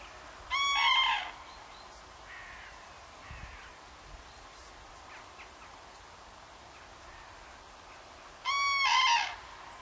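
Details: A pair of common cranes that summered near Banneick (Wendland, Lüchow-Dannenberg, northern Germany) trumpets on 17 September 2013 toward cranes already flying over to winter quarters: two loud, rolling bursts, each under a second, about eight seconds apart, with faint calls between.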